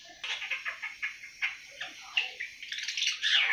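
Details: Seven-month-old awar-awar just beginning to sing, giving a fast run of short, scratchy chirps and twitters, with a louder burst of sweet notes at the end.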